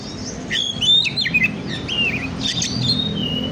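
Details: Oriental magpie-robin (kacer) singing as a lure for other birds: quick clear whistled phrases, some sliding downward, then a brief gap and a further burst of sharp chirps and a drawn-out whistle; low background hum.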